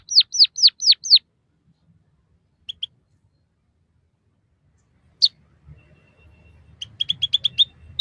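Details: White-headed munia song meant for training captive birds. It opens with five loud downslurred whistles, falls silent apart from a few isolated notes, then ends with a soft run of rapid chirps.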